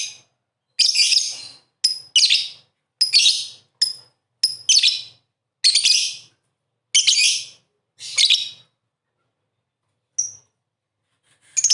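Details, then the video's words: Lovebird used as a singing model delivering a rapid run of scratchy chirps and short whistles, almost one per second, ending with a lone thin whistle and a final burst. "Master lovebird 100% ngakak gacor"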